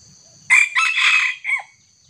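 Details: Wild young junglefowl confronting a small decoy rooster gives a loud raspy crow in three parts, a short burst, a longer drawn middle section, and a falling final note, over a faint hum.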